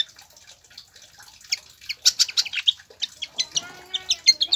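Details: Pied fantail song played to stimulate captive birds to sing: rapid high squeaky chirps and short sharp notes, sparse at first, then a dense, irregular burst of bright piercing notes in the second half.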